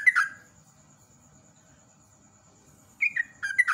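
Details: Yellow-vented bulbul giving short bubbly whistled phrases that fall in pitch, one at the start and two near the end, with quiet low background hum in between.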